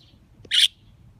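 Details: Pet budgerigar in a neighbourhood park during cherry blossom season, chirping in reply to wild birds: one loud, short, harsh burst of about a sixth of a second, with a faint thin whistle before it.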